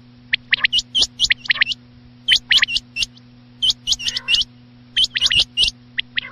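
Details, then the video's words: Quail calling at night: clusters of two to four sharp, hooked high chirps given in quick bursts separated by short pauses, over a steady low electrical hum. "batair chinag ki max awaz raat ke laiy"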